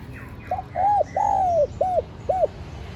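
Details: Clear, close spotted dove lure call: five soft, hooting coos in one phrase, a short opener, a rounded coo, one long sliding coo, then two shorter arched coos, over a quiet background.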